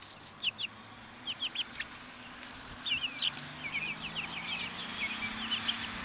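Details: Buff Orpington, Black Australorp and Americana chicks out in the open air in 2010, giving short high peeps in scattered bursts and quick runs of rapid cheeping, over a low steady background hum.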